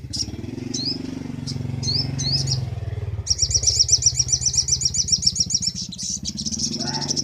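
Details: Crimson sunbird master recording for training birds: high sweeping notes, then a long rapid high trill, all over the steady low drone of a passing motorcycle engine.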